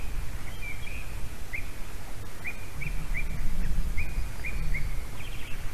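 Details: Female white-tailed eagle at a nest in Latvia on 22 March 2019, filmed by a live nest camera, calling as the male flies around bringing a carp. A series of about nine short, high yelping notes comes roughly every half second over low rumbling wind noise.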